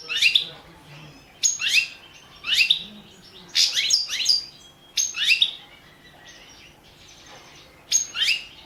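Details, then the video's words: Competition song of a European goldfinch, subspecies balcanica, entered in the 2017 internet world championship held under Serbian association rules; repeated liquid, chattering phrases of falling sweeps, seven bursts separated by brief pauses. "World championship in Goldfinch Song 2017"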